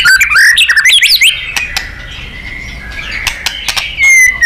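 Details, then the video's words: White-rumped shama (murai batu) in a contest-bird training recording: a burst of fast zigzag whistles and chirps, a long softer steady whistle, and a final loud falling note. "Murai GACOR & NEMBAK ...FULL POWER & FIGHTER"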